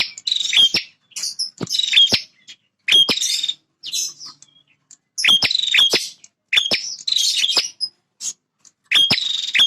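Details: Long run of song from a territorial male bar-winged prinia. Rapid buzzy, rattling phrases alternate with sharp snapping clicks and thin high notes, almost continuous, with only short pauses.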